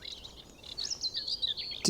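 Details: Beside a body of water along a road in Norfolk on a sunny blue-sky day, at least three common nightingales sing to each other, giving rapid runs of high, varied whistles and short trills, with a sharp click near the end over a soft hiss.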